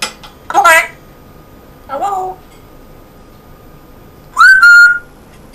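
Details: Male African grey parrot kept as a pet, speaking with a northern English Yorkshire accent; two brief voice-like syllables, then a sharp rising whistle held steady, in a quiet room.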